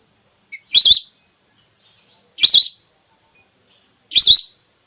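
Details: Female red whistling duck call for luring ducks during hunts. Three bright, wavy whistles come evenly, about every one and three-quarter seconds, with a short faint note before the first.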